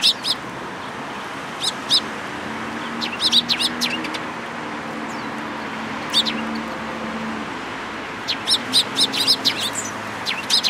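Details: Eurasian tree sparrows at a Tenmangu shrine in Japan on 14 April 2022. Intermittent short chirps come in small clusters over a steady low engine-like drone. There is a quieter stretch before more chirping resumes toward the end.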